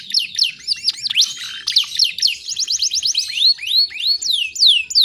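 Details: Female canary lure recording to attract males, with added songbird material: rapid repeated upswept whistles and bright slurred notes, a short fast trill in the middle, then slower loud rising-and-falling whistles.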